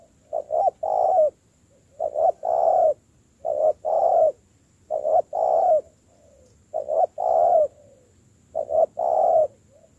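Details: Spotted dove, a newly caught bird being trained into a decoy, cooing steadily: six low hollow phrases, each two short notes then a long drawn coo, repeated about every one and a half seconds, with faint background hiss.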